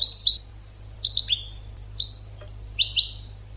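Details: Goldfinch training song with short separated phrases: a buzzy double note, a falling trio of twitters, a single drawn note, then a rapid pair of bright chirps; low background hum.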